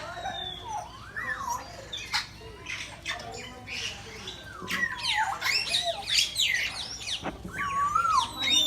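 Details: Many birds calling at random in Bangabandhu Sheikh Mujib Safari Park, Gazipur, Bangladesh: dense overlapping harsh squawks and slurred whistled notes, with a chorus that grows louder and busier in the second half.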